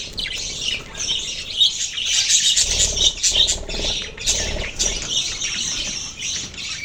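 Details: Budgies twittering and chirping nonstop, quick notes roughly twice a second, while wing flutters and low thumps sound in the middle.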